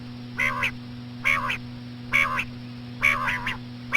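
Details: Common quail, slow female quail calls used to attract quail: nasal, buzzy double-note calls repeated about once a second, each with a brighter high tip, over a steady low electrical hum.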